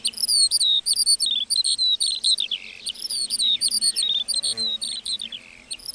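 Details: Continuous high song of a lark in a meadow: rapid chirping and slurred whistled phrases tumbling without pause, bright and busy throughout.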